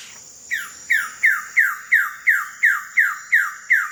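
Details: Wilson's bird-of-paradise in West Papua, recorded between late July and mid-August 2026: a loud run of nine harsh, steeply down-slurred notes, each falling sharply, spaced about a third of a second apart, over a steady high insect drone.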